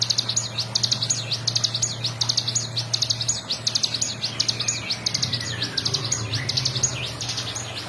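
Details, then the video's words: Bar-winged prinia, high rapid note clusters used as a master for training songbirds, with a faint, slowly descending whistle from another bird in the background and a constant low hum. "CIGUN GACOR FULL NGEBREN"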